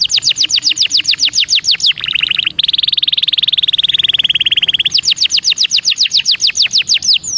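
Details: Belgian canary song used to train young birds: rapid descending whistled notes in fast series, switching to a steady buzzy trill near three seconds, then returning to quick repeated sweeping notes.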